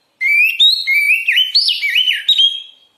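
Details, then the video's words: Oriental magpie-robin (kacer) singing in full voice, a recording offered for training and therapy morning and evening: loud, varied whistled phrases that slide up and down with quick twisting notes, continuous for nearly three seconds. "SUARA BURUNG KACER GACOR COR"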